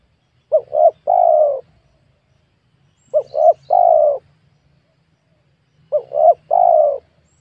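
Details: Spotted dove coo recorded while wild birds were being lured in a small, newly planted oil palm plot. Three evenly spaced three-part phrases come about every two and a half seconds, each two brief notes then a long soft falling coo.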